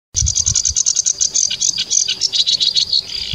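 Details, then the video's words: A sedge warbler sings a fast, scratchy chatter of high, dry notes, about eight a second, mixing rasps with brief sweeter phrases, with a few low thumps beneath. "The Sedge Warbler. Warbler Song."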